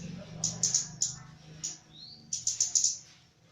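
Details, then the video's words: Javan myna, described as gacor (singing actively), during mental training. Bursts of high, sharp whistled chirps come in two clusters of about four notes, with a single soft rising whistle between them over a low steady hum. "KEMADE JAWA GACOR"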